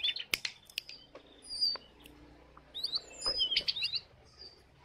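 A lesser shortwing gives high, quick jumbles of thin, tinkling notes in two short bursts, after a few sharp clicks at the start.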